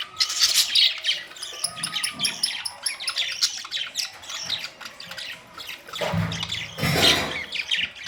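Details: Budgerigars recorded May 2, 2023, giving loud overlapping squawks and chattering warbles throughout. A low rumbling bump is heard toward the end.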